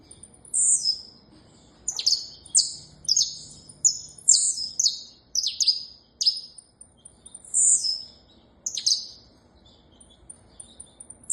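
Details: Saffron finch singing a long sequence of loud, high chirps that drop quickly in pitch, some doubled, with thin whistled notes between phrases and brief gaps.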